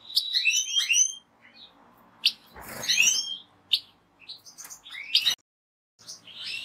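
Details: European goldfinch singing a bright twittering phrase of high, quickly slurred and rising notes, broken by short pauses, with a brief burst of broadband noise midway.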